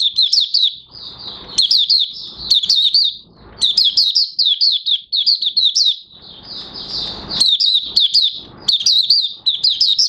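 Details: Singing Oriental white-eye (Mata Puteh Raja), 30 August 2022, new white plumage almost complete; lively high-pitched twitter of fast, slurred notes run together in bursts of one to two seconds, with faint rustling between phrases.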